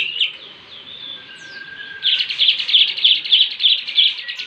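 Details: Bandung lovebird, mastered with kapas tembak and jenggot fills, sings a thin whistle that gives way after two seconds to a loud, fast, even trill of high chattering notes, about three per second.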